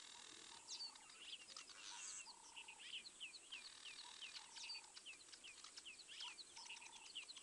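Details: Morning calls of a crimson-breasted shrike at Mabula, South Africa, 7:20 AM on 19 September 2023, from a live wildlife camera: low, even whistled notes spaced a second or more apart among many high, rapid chirps and twitters from other birds.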